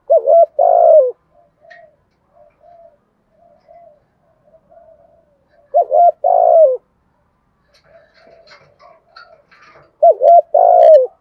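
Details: Spotted dove in the thổ voice style, cooing to call and used as a lure; three bursts of low hollow coos about five seconds apart, each a short note then longer rolling notes, with faint soft cooing and clicks between.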